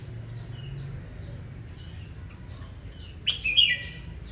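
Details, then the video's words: Red-whiskered bulbul in fierce morning challenge singing, used to rouse males: a loud, bright warbled phrase rising and falling, with faint repeated high notes from other birds throughout and a low background hum. "Tiếng chào mào hót đấu ché | Kích chào mào lên lửa"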